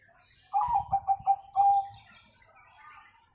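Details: One song phrase from a Bangkok zebra dove with the 'kung' tone, used to train young birds: five rhythmic, pulsed coos and a longer final coo over a soft low rumble of background noise.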